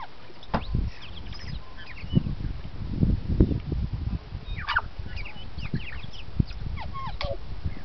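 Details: Native New Zealand tui recorded on a trip north of Auckland, giving scattered short whistled and sliding notes with clicks at mid to high pitch, over heavy low rumbling wind or handling noise with frequent thumps.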